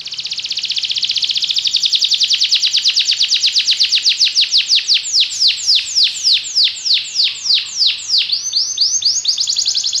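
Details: Belgian canary singing: a fast dense buzzy trill that gradually slows into a series of separate, sharply descending whistled sweeps, several per second, with a brief high trill near the end.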